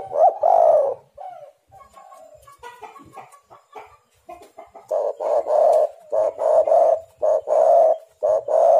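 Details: Spotted dove (tekukur) lure recording meant to set other doves calling: mixed soft coos at first, then a steady run of short, evenly spaced hoarse coo notes in the second half.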